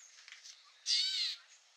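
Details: Gray Catbird at Newman Lake, Washington, USA: one harsh, raspy, nasal call lasting about half a second, high-pitched and buzzy, with a faint hiss of background noise before and after.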